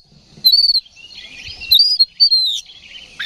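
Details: Oriental magpie-robin in loud, fight-ready ngeplong song, used as a lure to provoke other birds: clear high whistled phrases sliding down, with a burst of scratchy notes midway and a short, low rising phrase at the end.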